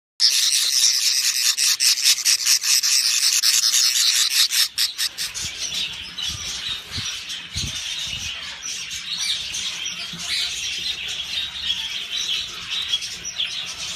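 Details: A flock of yellow budgerigars chattering with dense, high chirps and warbles that overlap constantly.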